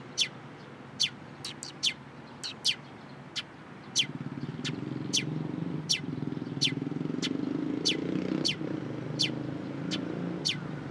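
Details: Sparrows at a Tenmangu shrine approaching to be fed, March 29, 2023: short sharp chirps repeated irregularly over steady low traffic rumble.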